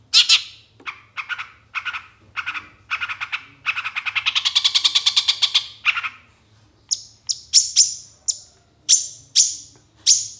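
Long-tailed shrike gives harsh, scratchy bursts, then a fast grating rattle, then a run of thin, very high whistled notes repeated about every half second.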